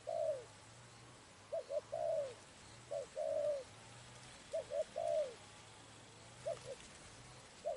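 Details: Cooing of a spotted dove recorded at a trapping site: soft low phrases of two brief notes and a longer descending coo, repeated with pauses, plus a steady low hum.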